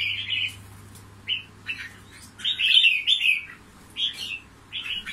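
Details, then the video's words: Trapped fighting red-whiskered bulbul from Cao Bằng, Vietnam, pours out a string of lively, gurgling whistled phrases, busiest in the middle, with a constant low hum in the background. "CHÀO MÀO BẪY ĐẤU VIP CAO BẰNG"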